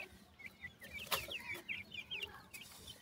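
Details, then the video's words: Dakhni grey francolin chicks, five with a female, at feeding time; quiet, steady run of high twittering peeps repeated several times a second, one sharp click near the middle. "Dakhni Teetar chicks khorak time,Female with 5 chick"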